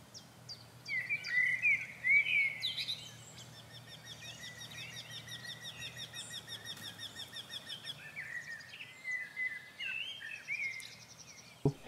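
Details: In spring on an agro-ecological farm in France, a Eurasian wryneck that has sung there for days, possibly nesting or only migrating, sings a steady run of nasal notes about four per second while other songbirds warble and chirp.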